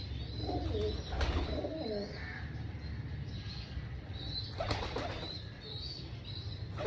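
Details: Pigeons at breakfast feeding on a rooftop farm, a burst of wingbeats and a deep bubbling coo, then faint chirps from small birds and another flurry of flapping.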